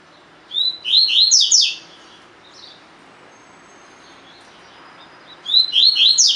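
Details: Collared seedeater in a cage, tui tui song style for training other caged birds; a rapid run of high slurred whistles lasting about a second, then quiet, then the same phrase again at the end.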